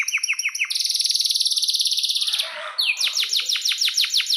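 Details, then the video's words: Canary in energetic song with long rolling trills: a few descending whistled notes, then a fast, even buzzy trill held for almost two seconds, a brief hush, and a series of sharp, steeply falling whistles repeated rapidly. "Kenari GACOR PANJANG"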